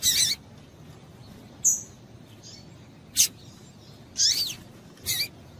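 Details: Irregular series of sharp, high chirps from a female double-collared seedeater, some doubled and slightly rasping, spaced roughly a second apart. The call is used to excite males.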